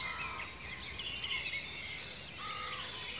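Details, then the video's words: Short stretch of forest birdsong from ancient woodland in Cornwall, UK: overlapping high twitters and thin whistles, with a steadier mid-pitched note at the start and near the end. "Bird Song in the Forest"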